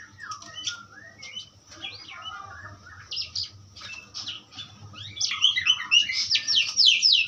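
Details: Asian pied starling song starting with scattered whistles and creaky notes, then swelling into a fast, loud run of harsh chattering at the end.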